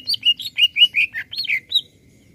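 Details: Greater green leafbird in energetic song meant to stir other birds: a quick phrase of clear whistled notes, several level and a few swooping up and down, lasting under two seconds.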